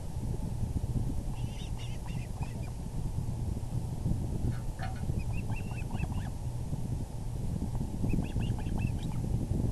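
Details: Osprey at its nest as the male arrives with a large fish, evening of April 6, 2020; short bursts of thin, high chirps come in three separate clusters, separated by pauses, over heavy low wind noise.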